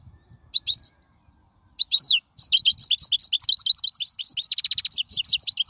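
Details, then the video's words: Wild European goldfinch song to teach young birds: two separate slurred twitters, then a continuous fast stream of high, liquid chirps with a brief trill midway. "من أقوى اغاني | طائر الحسون | البرية"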